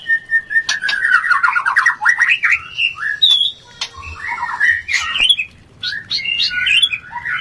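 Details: White-rumped shama mating song meant to raise breeding urge: a fast stuttering rattle of repeated notes, then mixed whistles, harsh squawky notes and clicks, with brief quiet breaks between lively varied phrases.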